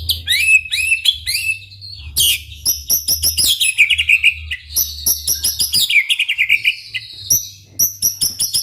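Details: Vigorous White-rumped shama song for provoking other shamas to sing: dense mix of sharp high chips, buzzy trills and sliding whistles delivered nonstop in quick bursts, low steady hum beneath.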